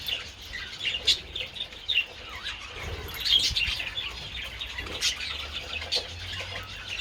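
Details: A group of budgies taking treats in the sun on 27 February: high twittering and chirping, punctuated by a few louder sharp chirps and bursts of wing flapping.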